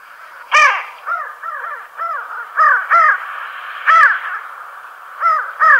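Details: Pin-tailed sandgrouse, locally called churra, flying fast over farmland near Tablas de Daimiel and Villarrubia in La Mancha, Spain. Nasal, arched, rasping notes come singly or in quick pairs, with short quiet gaps between them.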